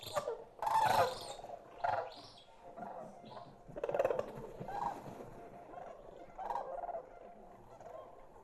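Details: Greater Sandhill Crane chicks in Colorado give short, rough, rising calls in loose bursts about a second apart, thinner and higher than the adult bugle, a voice they keep almost until spring, with faint room hum behind.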